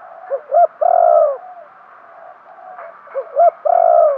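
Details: Lure-calling spotted dove used as a decoy for wild birds. Two phrases each open with brief upslurred notes and swell into a long, slightly falling coo.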